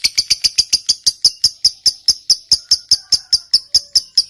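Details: Lovebird in long ngekek song, a lure meant to provoke silent birds into answering: evenly spaced sharp high clicks, roughly four or five per second, steady in pitch throughout.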